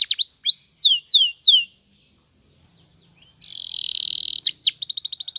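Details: Training song of a Spanish Timbrado canary, used to teach canaries to sing: falling whistled slurs, a pause of near silence, then a dense buzzy roll and a quick rapid trill.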